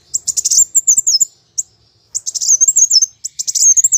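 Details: Plain sunbird (kowul) in heated fighting song used as a lure: nearly continuous phrases of fast, sharp, very high stuttering notes and thin twisting trills, broken by brief pauses.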